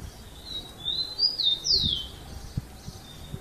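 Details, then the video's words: Rufous-collared sparrow delivering its "Jesus meu Deus" song: soft high whistles rising and falling, ending in a sharper descending slur, over faint low background noise with a few light taps. "TICO TICO CANTO JESUS MEU DEUS"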